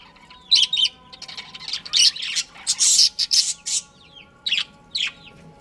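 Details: A breeding pair of budgies giving separate bursts of high scratchy chirps and squawks, several clustered mid-clip, then two isolated short calls near the end.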